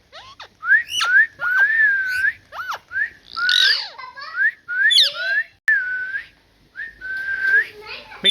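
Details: Parrot talking: a run of swooping whistled notes that slide up and down, broken by harsher squeaky bursts and short rising chirps, with brief pauses between phrases and no other sounds.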